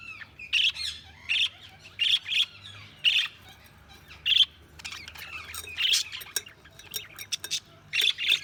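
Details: Budgies chirping in short raspy bursts repeated about every second, scratchy warbled notes with clicks in between, mostly even in loudness.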